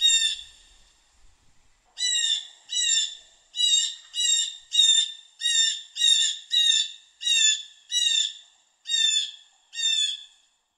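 A blue jay gives a run of about thirteen harsh, nasal 'jay' calls, one every half to three-quarters of a second. The background is otherwise quiet.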